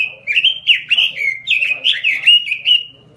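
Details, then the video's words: Vigorous gacor song from a robin in a small cage: a continuous, rapid tumble of rich warbled whistles, each slurring down and up, for the full three seconds; faint hum below. "suara burung robin gacor di sangkar kecil"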